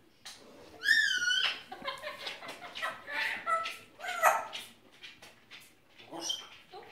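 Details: Grey parrot talking with its owner: shrill, harmonic whistled syllables rising and falling, followed by a chattering run of voice-like sounds and a sharp squeak, with a woman's voice nearby.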